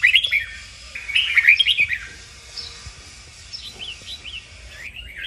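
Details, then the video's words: Red-whiskered bulbul song for training birds into strong competitive singing: two loud bursts of rapid fluty, up-and-down notes early on, then softer distant whistled phrases trailing off. "Luyện chào mào hót| Chào mào kích bổi-KÍCH BỔI CĂNG ĐÉT DỄ CHÉ.sổ giọng, Cách luyện chào mào hót"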